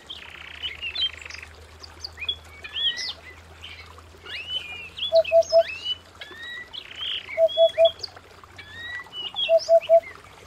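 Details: Canary singing at home, giving rapid buzzy trills between sharp rising and falling chirps, with a low triple beep repeating every two seconds behind.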